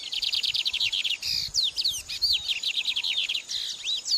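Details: Oriental magpie-robin recorded as a training song for cage birds: rapid bursts of bright, high chirps and slurred whistles, with several sweeping down-slurred notes and dense trills repeated with short pauses.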